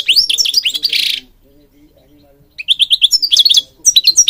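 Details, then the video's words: Singing European goldfinch meant for training birds: quick liquid twitters ending in a harsh buzzy note, a pause, then a run of evenly repeated chirps and slurred whistles. "Singing Goldfinch King goldfinch singing"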